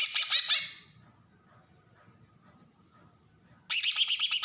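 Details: Bornean green leafbird from Kalimantan (Berau), giving an agitated besetan song used to provoke young birds: a harsh, buzzy, rapid high chatter cut off early, a quiet gap, then another scratchy burst starting near the end.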